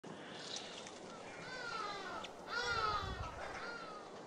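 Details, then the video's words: Arrow-marked babblers give harsh, nasal, cackling calls, a few rasping notes with falling and rising pitch that rise to a louder chatter. "Arrow-marked Babbler"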